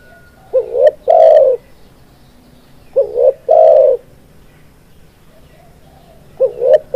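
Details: Spotted dove (tekukur) pikat call for luring birds into traps: three phrases roughly every two and a half seconds, each a short upslurred double coo and a loud steady low coo, with light outdoor background noise.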